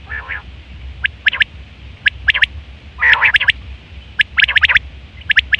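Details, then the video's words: Quail calling in September 2023 for hunting and mating: rapid sharp three-note bursts about once a second, loud and high, mixed with a couple of rasping harsher notes, over low hum. "Quail fresh sound sep 2023/ batair ki awaz"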